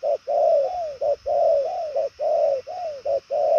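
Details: Purple-legged 'đồng son' spotted dove giving a fast, far-carrying cooing song. Rounded low notes are grouped into repeated phrases of two or three, each ending in a drawn-out falling coo, with a steady background hum.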